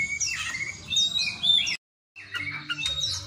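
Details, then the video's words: An Oriental magpie-robin sings a rapid jumble of high, sharp whistles and chips, copying a tit's calls, broken by a brief silence, with a faint low hum behind. "kacer isian glatik batu"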